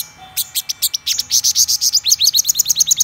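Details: Black-throated sunbird giving high chirps that speed into a fast run of sharp, bright, downward-flicking notes, roughly five per second. A faint steady tone sits underneath.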